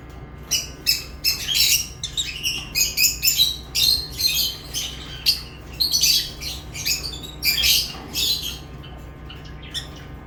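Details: Lovebirds chirping and squawking in rapid, harsh bursts, many broadband notes overlapping in quick irregular volleys with brief pauses, a faint steady low hum beneath.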